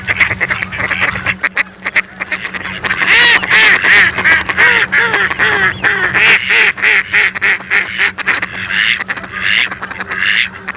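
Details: Several mallards call together in a busy chorus of rough, nasal quacks, about three per second. Some quacks are clear and falling in pitch, others harsh and overlapping, over a constant low hum.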